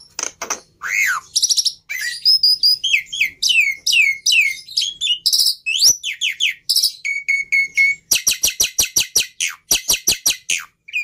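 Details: Black-winged myna in full song: looping whistled slurs, buzzy bursts, a held plain whistle, then a rapid run of evenly repeated sharp notes.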